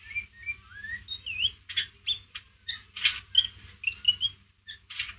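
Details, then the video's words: White-rumped shama, ngeriwik style, used as a lure to provoke a pet shama: varied whistled and chattering notes with sliding tones, dense squeaky phrases in quick succession, steady low hum beneath. "MURAI BATU PASTOL NGERIWIK COCOK BUAT PANCINGAN EMOSI MURAI ANDA"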